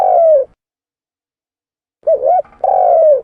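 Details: Lure call of a spotted dove (tekukur): a drawn-out falling coo, a pause of one and a half seconds, then a short double coo followed by another long, gently falling note.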